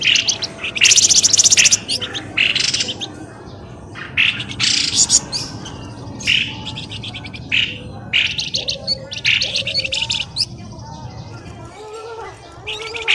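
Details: Lure sound for drawing birds from undergrowth: irregular bursts of loud, high chirping and chatter, with some lower squeaky notes, come separated by short quieter gaps.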